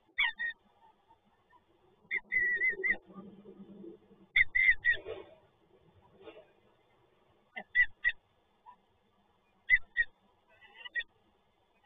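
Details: Peregrine falcon pair visiting a site in Toruń, Poland, on 12 November 2022: short harsh bursts with bright ringing overtones come in scattered clusters, some doubled or tripled, over a steady low hum and soft rustling.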